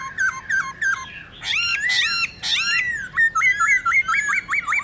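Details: Laughingthrush giving wild-style song for stimulating captive birds: brisk whistled notes, then loud harsh squawky phrases, then a rapid series of short looping whistles.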